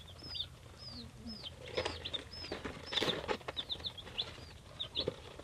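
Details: Baby chickens three days old, of breeds such as Buttercup, Polish and Black Australorp, giving repeated high, arched peeps that fall in pitch, several close together, amid rustling and tapping movement sounds.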